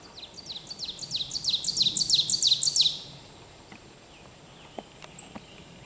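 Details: Ovenbird song from Pennsylvania: rapidly repeated high, bright two-note phrases that build in a strong crescendo for about three seconds, then cut off. Quiet ambient noise follows, with a few faint distant clicks and chips.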